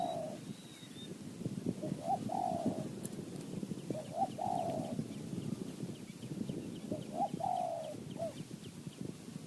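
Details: Wild spotted dove calling near a decoy in high mountain forest, Thailand: three repeated cooing phrases about two and a half seconds apart, each a soft short note, a rising note and a long burry coo, over low rumbling noise.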